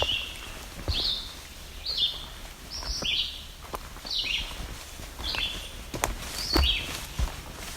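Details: Yellow-bellied Sapsucker calling in the background of a rocky forest along the Niagara Escarpment at Barrow Bay, a squeaky note likened to a rubber squeeze toy, repeated about once a second, with footsteps and low rumble.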